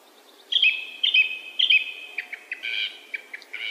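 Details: Song thrush repeating a sharp whistled phrase three times in quick succession, then moving into a denser, scratchier phrase.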